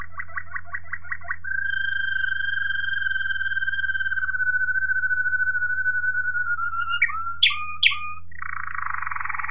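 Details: Waterslager Malinois canary singing, recorded in 2018. A quick run of repeated notes gives way to a long, steady whistled tour with a faint higher tone above it. Short bell-like notes and a buzzy roll follow over a constant low electrical hum.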